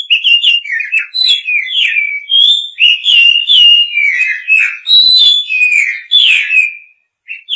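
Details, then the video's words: Male white-rumped shama pouring out a long, lively song to call a female: quick varied whistles and warbled phrases, many notes sliding downward, almost without pause. "Âm thanh Chòe hay, kích trống gọi mái"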